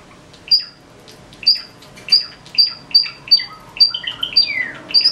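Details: Java sparrow, a pet bird kept indoors, singing in the morning: a run of clear, bell-like high notes repeated about every half second, interspersed with clicks, mixed with rapid twittering and a descending slurred note, in a small quiet room.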